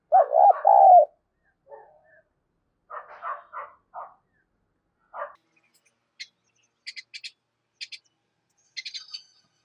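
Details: Spotted dove used as a lure bird, in the 'thúc bổi' calling style: one loud, low, throaty coo at the start, then softer low notes and scattered high, thin chirps from other small birds.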